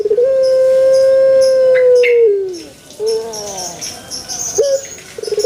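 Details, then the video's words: A pelung chicken crows at length in a banana garden, its level melodious tone held around two seconds before gliding down, then softer wavering notes and faint high chirps. "SUARA ASLI PUTER PELUNG"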